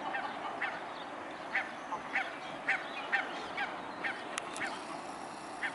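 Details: Mute swans on 21 May 2015 at 12:14, giving brief nasal honks spaced irregularly, roughly one or two per second, with a couple of sharp clicks and constant background hiss.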